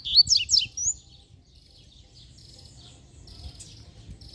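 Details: Double-collared seedeater, one of two heard singing during a walk with a dog, gives a quick burst of bright, twittering high notes in the first second, then faint high warbles over low rustling background noise.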